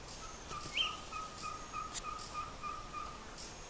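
A ferruginous pygmy owl gives a steady run of short, mellow whistled toots, about three or four a second, with a brief higher chirp from another bird and soft background hiss.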